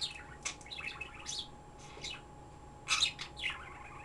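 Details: A caged pet bird chatters in fast runs of high chirps and twittery notes, with a short pause before a louder burst, all against a constant low hum and thin high tone.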